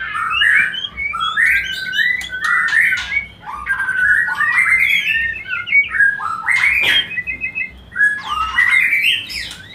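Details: White-rumped shama song meant to encourage mating: long, energetic series of bright warbled whistles and trills, phrases tumbling one after another with short pauses, some harsh high notes mixed in.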